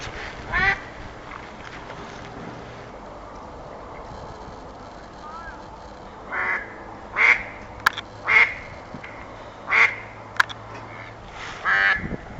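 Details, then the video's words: Ducks calling: a single harsh, nasal quack near the start, then a quiet stretch, followed by a run of about six loud, raspy quacks in short bursts over the last six seconds, over low steady background noise. "Sounds of animals - Ducks"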